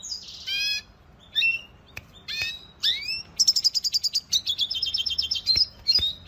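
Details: Venezuelan goldfinch singing a lively, high-pitched song: sharp chirps and quick down-slurred notes lead into fast, buzzy trills of rapidly repeated notes, with short pauses between phrases and a quiet background.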